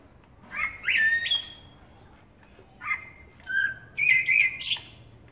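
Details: Eurasian blackbird singing: rich fluted phrases with sliding notes, each tipped with thin high squeaks, three or four bursts in quick succession with short pauses between.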